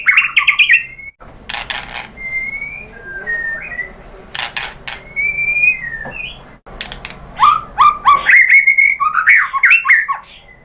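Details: Murai batu (white-rumped shama) lure song meant to provoke an excited response. Rich whistled phrases rise and fall, mixed with sharp clicks, then a rapid run of looping, warbled notes in the final seconds.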